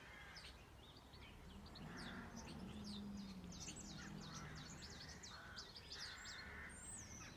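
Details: Birds on a farm in a restful rural setting: a dense chatter of quick high chirps and twitters, with hoarse caw-like calls underneath and a low droning hum in the background.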